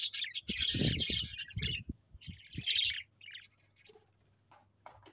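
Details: Pet budgies chirping: dense bursts of scratchy, high chatter in the first three seconds, with low thumps and knocks underneath, then fading to a few soft isolated chirps.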